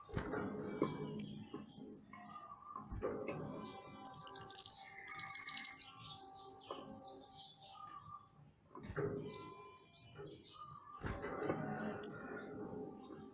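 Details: Mantenan gunung, a lively bird heard in a recording for tutoring songbirds, gives two quick high trilled bursts in succession between a few lone sharp notes, with faint clattering and lower sounds around.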